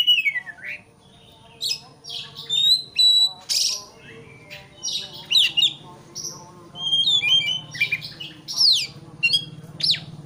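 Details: Oriental magpie-robin song, meant to provoke a rival into quick, agitated singing: varied clear whistles, rising and falling slurs and harsh scratchy bursts in irregular phrases, over a steady low hum.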